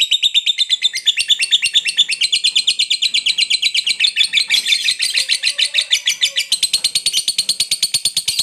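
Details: Fighter lovebird giving a long 'ngekek' song, a chattering trill kept up to provoke rival birds and start reluctant ones singing: a fast, dense, high-pitched rattle of rapid notes running almost nonstop, with slight shifts in pitch partway through.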